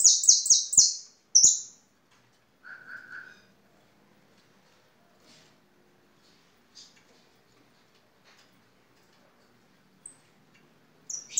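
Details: A European goldfinch (Carduelis carduelis), a song bird, opens with a quick burst of high, tinkling twitters, then a lower liquid trill and a few scattered thin notes over near silence.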